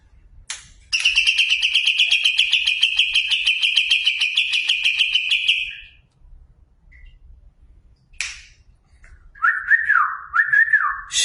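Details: A competition-class greater green leafbird delivers a long, fast, pulsed buzzy trill of about five seconds, followed after a pause by warbling, wavering lower whistles, with brief clicks in between.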